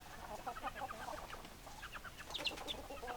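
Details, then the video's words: Chickens, hens clucking: a dense run of short, clipped clucks overlapping one another, with a few sharper high-pitched notes near the end. "Chicken Sounds Noises Hens Clucking Roosters Crowing"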